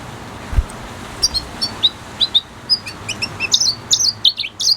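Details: Red siskin singing: soft high chirps spaced about every half second that build into quicker, louder twittering phrases, with a low thump near the start.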